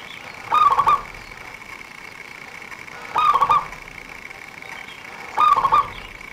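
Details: Trapper's lure bird, a local zebra dove with a fast, dense song. It repeats a short bubbling coo phrase three times, roughly every 2.5 seconds, against a continuous high-pitched whine.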